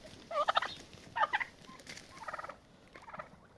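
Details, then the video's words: Domestic turkeys fighting to establish dominance and a pecking order; short bursts of harmonic yelping calls around 0.5 and 1.3 seconds, then softer repeated clucking notes, over a low background rumble. "Turkeys fighting"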